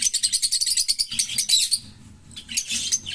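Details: A pair of green Fischer's lovebirds gives a fast rattling series of high, shrill chirps, about ten per second, followed by softer twittering squeaks.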